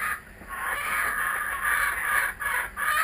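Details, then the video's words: Kookaburras returning to a garden, giving harsh raucous calls in a dense continuous chorus of broad noisy bursts, with brief dips in loudness near the half-second and two-and-a-half-second marks. "Our Kookaburras are back"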